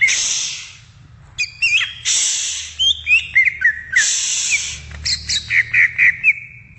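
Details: Greater green leafbird (cucak ijo) singing in the wild: quick varied chirps and whistled notes sliding between high and mid pitch, several per second, broken by bursts of harsh rushing hiss.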